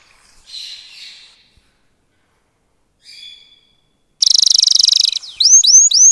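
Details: Canary song meant to stimulate mating during the breeding season: faint soft twittering at first, then a loud, dense buzzy trill about a second long, followed by sharp, repeated rising whistled notes.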